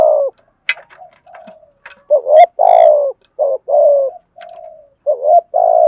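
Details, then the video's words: Decoy spotted dove cooing to provoke wild doves into calling: low mellow coos in short bursts and longer drawn-out phrases, some rising then falling, with a few sharp clicks or taps between phrases. "chim cu mồi thúc gù bài bản kích bổi rất xiêng gáy, tiếng cu gáy đẹp mã kêu hay, cu cườm"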